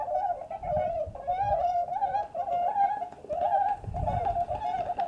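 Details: A flock of Bewick's swans at Beuven, Netherlands, on 18 December 2011 keeps up a steady, overlapping babble of mellow, slightly nasal yelping calls, with occasional low rumbles of wind.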